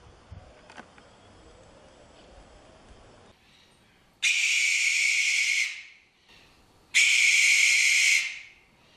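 A barn owl gives two long, harsh, hissing screeches, each lasting over a second, a couple of seconds apart, after a quiet, faintly noisy start.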